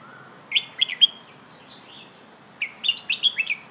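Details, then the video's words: A red-whiskered bulbul sings a training song for teaching young birds: two short bursts of bright, liquid, warbled notes, each phrase of four or five quick chirps, separated by a brief pause. "เพลงโห่ เสียงฝึกร้องนกกรงหัวจุก"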